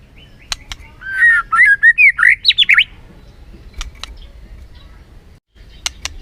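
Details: White-rumped shama played as a lure to rouse a lazy bird: a fast jumbled warble of chirps and whistled slurs lasting about two seconds, with scattered sharp clicks before and after.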